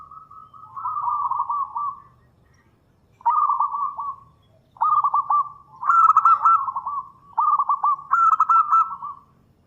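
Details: Zebra dove, local bird in strong song for luring a reply. Repeated phrases of quick, rolling trilled coos, six bursts separated by short gaps, over a faint low hum.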